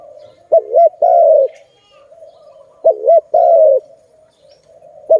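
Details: Malay dove (zebra dove) recorded during bird trapping: two loud phrases, each a quick double-humped note then a drawn-out falling coo, with softer background cooing between them.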